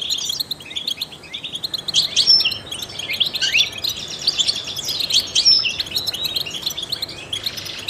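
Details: European goldfinch, a trained singer, twittering steadily in a high register: liquid chirps and short trills tumble on without pause, with a couple of thin pure whistles near the second and fifth seconds.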